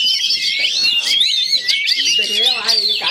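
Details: Oriental magpie-robins in Chinese cages, pitted against each other in a through-cage fight, give a tumbling stream of high, rising and falling whistles and rough chirps without pause, while a man's voice is heard softly near the end.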